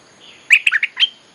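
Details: Bulbul lure song for calling wild birds: a brief rapid phrase of four or five bubbly, slurred whistled notes within half a second, ending on a clearer rising note, background otherwise quiet.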